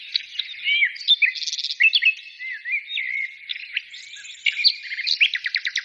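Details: Birds singing in overlapping phrases: buzzy twitters, curving whistled notes and, near the end, a string of quick, evenly repeated chirps over a constant background chorus.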